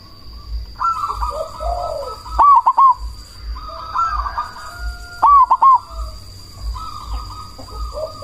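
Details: Zebra dove, a cemani variety, used as a lure to provoke rival doves to answer and to raise breeding drive; loud phrases of soft coos followed by quick bright trilled notes near two and five seconds, repeated, over a steady high hum and low thumping.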